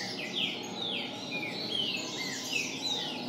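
Green-winged Saltator singing a quick run of clear, slurred whistles, some falling and some rising, about two each second, over a soft hiss of background noise.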